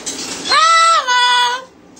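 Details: A pet double yellow-headed amazon, prompted to "say hello", says a clear two-part "hello" in a high, voice-like tone, the second syllable falling slightly.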